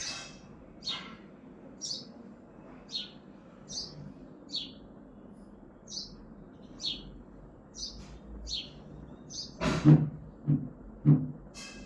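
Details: Sparrow chirping on a balcony in Hazaribagh, India: short bright chirps repeated about once a second, with a brief louder burst of mixed noise near the end over a steady low background hum.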